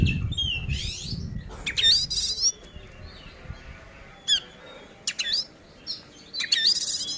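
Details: Fighting song of an oriental magpie-robin, meant to make rival magpie-robins agitated: scattered loud harsh rasping bursts and bright upslurred whistles, separated by short quiet gaps, with a brief low rumble at the start.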